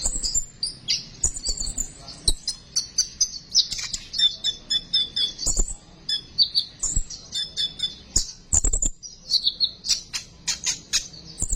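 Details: Energetic sunbird song for luring sunbirds to sing: dense, rapid twittering of very high chirps and buzzy trills, nearly continuous, with a few sharp clicks and thumps.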